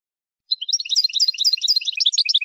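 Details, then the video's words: Saffron finch, jilguero campero style song meant for educating captive birds: after a short silence, a fast, continuous chatter of high twittering notes that hop up and down, steady in loudness, with no other sounds. "NUEVO CD JILGUERO CAMPERO PARA EDUCAR"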